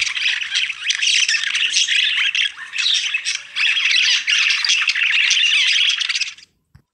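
A budgerigar chatters nonstop for about six seconds in a rapid, scratchy jumble of high squawks, chirps and warbles, then falls silent.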